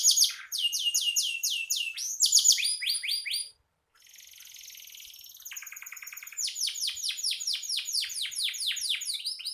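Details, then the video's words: Energetic canary song meant to tutor other songbirds: bursts of quick repeated high sweeping notes, a brief pause near four seconds, then a thin buzzy trill and more rapid repeated upslurs. "Suara burung kenari gacor"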